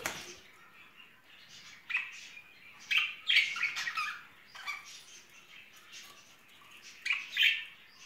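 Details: A courting pair of pet budgerigars in spring, heard more softly: intermittent twittering and scratchy chatter with a few louder chirped bursts.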